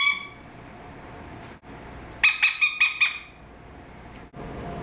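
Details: An indoor adopted male Eclectus parrot, 13 years old, gives one sharp squawk, then after a quiet gap a rapid burst of five shrill, ringing squawks, then silence.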